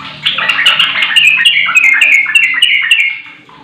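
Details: Sooty-headed bulbul song used as a lure to make a silent bird answer in rapid-fire style: a fast run of bright, slurred whistled notes stepping downward, densely repeated with scattered high clicks.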